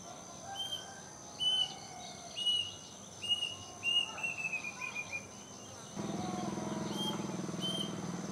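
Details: Afternoon calls of a plaintive cuckoo in a mango tree by a house: spaced whistled notes building into a quicker falling series, then a sudden burst of broad rushing noise in the last seconds.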